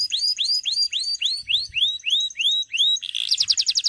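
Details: Singing male canary meant to train young birds: a steady series of rising, arched whistled notes about four per second, ending in a quick buzzy trill; faint low thumps in the background.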